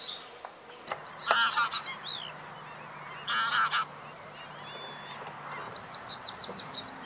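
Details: Reed bunting singing in May 2021 at Spijkenisse, the Netherlands: short, simple song phrases of a few high, chirpy notes, spaced a few seconds apart, with harsher calls from other birds mixed in.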